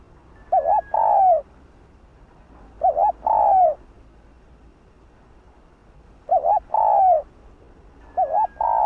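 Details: Cu gáy, spotted dove, in hạp bổi style meant to excite male birds: four short two-part coo phrases, a quavering note then a longer falling one, spaced about three seconds apart, with quiet between.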